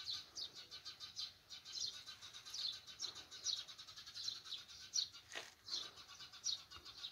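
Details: Countryside morning with sparrows chirping: short, sharp high notes repeated roughly once a second in an uneven stream, several birds overlapping, one brief broadband rustle near the end.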